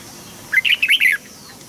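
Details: Red-whiskered bulbul singing as a training model for young birds: one quick burst of lively, slurred, chirping notes rising and falling, lasting about half a second, against a quiet room hum.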